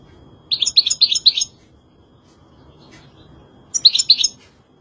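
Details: European goldfinch singing: two short bursts of bright, tinkling twittered notes, four or five quick notes in each, separated by almost three seconds of quiet, over a faint background hiss.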